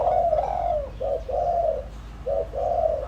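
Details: Decoy spotted dove delivering its calling coos, a long wavering opening coo followed by two quick short-then-long hollow note pairs, loud and clear.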